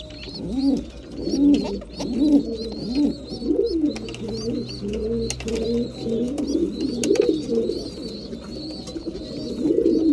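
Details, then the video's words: A crowd of breeding pigeons at feeding time keeps up dense, bubbling low cooing, each coo a short rise and fall, mixed with thin repeated high peeps and occasional clicks. "Breeding pigeons / mealtime"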